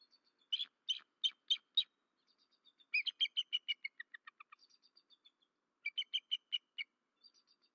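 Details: Bald eagle on its nest cam at Berry College, Rome, Georgia, just after midnight on 13 March 2024; the male calls after the female was disturbed and wing-slapped. Quiet bursts of high, staccato chirping notes in rapid series, pausing between groups.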